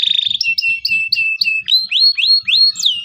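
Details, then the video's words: Local canary singing to coach young birds into song: a brief trill, then a run of repeated down-slurred whistles about four per second, followed by rising swept notes ending in a sharp downward whistle. "KENARI LOKAL GACOR CUIT CUIT EMOSI, PANCINGAN LENARI PAUD AJAR BUNYI"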